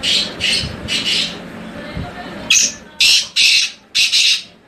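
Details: A tamed wild black francolin from Hangu, Khyber Pakhtunkhwa, Pakistan, gives two phrases of harsh, grating notes, each a quick run of four to six rasping bursts, with a short pause between them.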